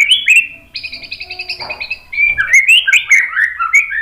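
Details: White-rumped shama song, played to provoke other shamas into singing back. Rising whistled notes give way to an even rapid trill, then loud, varied, bright whistles with quick pitch jumps.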